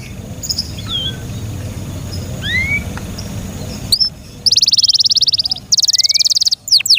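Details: Kept canary: faint distant chirps over background hum, then the bird bursts into loud fast buzzy trills broken by a brief pause and a final sweeping note.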